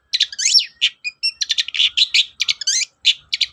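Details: Long-tailed shrike song played to encourage shrikes that are slow to sing: a fast, dense stream of varied chirps, whistled slurs and scratchy twittering notes, delivered almost without pause.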